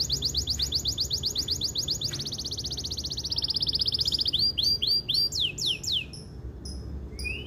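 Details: Gacor canary song meant to bring female canaries into breeding condition: a fast rolling trill of about four notes a second that speeds into a dense roll, then breaks into loud descending sweeps and scattered chips.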